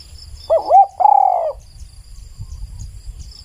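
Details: Spotted dove, a very clear recording: one coo phrase of two short wavering hoots followed by a longer, slightly rising and falling drawn-out coo, then quiet with faint insect hiss.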